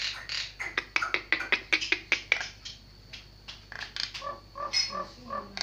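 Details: Javan myna singing: a quick series of sharp, clicking chattering notes, a short pause, then softer lower piping notes repeated irregularly.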